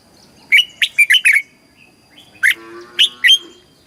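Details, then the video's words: Southern master-style song of a caged red-whiskered bulbul from Thailand, used for exciting birds and teaching young: a rapid five-note whistled phrase, a pause, then a shorter three-note phrase. "เสียงนกกรงหัวจุก สำหรับต่อ หรือ เปิดให้นกคึก"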